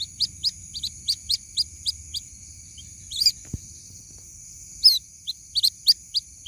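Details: White-breasted waterhen chick calling its mother with evenly spaced shrill peeps. These are broken by a noisy scrape and a sharp click near the middle, then resume in a quicker cluster, over a steady high whine.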